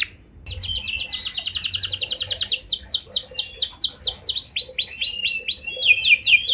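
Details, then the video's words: Canary lure song to trigger singing in other canaries: after a brief silence, quick even trills build into louder, slower sweeping notes repeated about twice a second, with a faint hum beneath. "Pancingan Ampuh Buat Kenari Kondisi Apapun! Bakal Langsung Nyaut Ikut GACOR Panjang"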